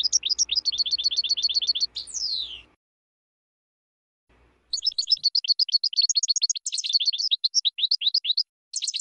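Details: European goldfinch singing for birds in training, fast evenly repeated chirps, a sweeping downward note, a brief pause of silence, then a lively jumble of twittering notes and trills.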